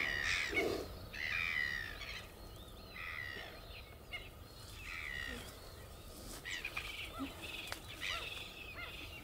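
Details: Red-gartered coot (Fulica armillata), a Chilean waterbird of lakes and lagoons, gives a few loud, harsh, nasal calls at the start; scattered sharp chirps from other birds follow over a steady background hiss.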